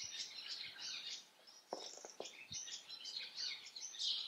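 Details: House sparrows in a busy, continuous chatter of overlapping high chirps, with a few sharp clicks and knocks in the middle.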